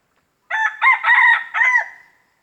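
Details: Wild red junglefowl crowing to mark its territory in an industrial plantation forest in Riau, Indonesia: one harsh, broken crow in four choppy segments, the last drawn out and fading, against a quiet background.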